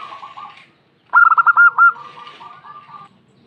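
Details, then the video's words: Local female zebra dove calling sharply to draw answers from other doves; one burst of quick hooked coos trailing into a long, softer rolling murmur, with faint chatter before it. "PERKUTUT BETINA SUARA PEDAS SEKALI MENDESAH PERKUTUT SETERAS NYAHUT SEMUA"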